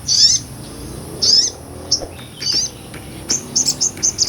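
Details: Sunbird, locally called sogon or sotong, a small nectar-eating bird, singing in ngobra style, recorded as a tutor for other songbirds: short high sharp chirping bursts spaced about a second apart, then quick clustered notes near the end.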